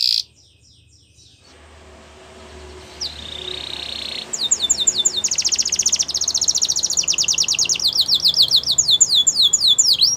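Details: Belgian canary song for canary training, heard over steady background hiss: after a quiet start, a brief buzzy tone, then a long fast series of high, sharply descending trilled notes.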